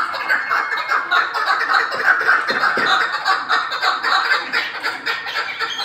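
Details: Chukar partridge calling with rapid, harsh clucking notes, close to two per second, running together into a dense, uneven chattering series without pause.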